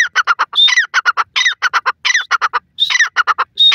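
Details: Female Dakhni teetar, a grey francolin, calling amid green grass: loud harsh notes in quick stuttering series, sharp upslurred squawks breaking in about every 0.7 seconds, the pattern repeating over and over with no other clear sounds.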